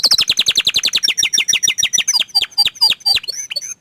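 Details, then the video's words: Orange frost canary song opening with a quick, even run of chirps that slows into separate, sweeping notes. "Kenari Oren Frost ini Ingin Menunjukan Kicauan nya yang Mantul"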